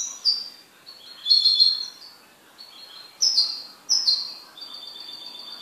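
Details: A pet goldfinch sings a lively run of sharp, high, descending chirps and buzzy trills, then holds a steady, thin, twittering trill at the end.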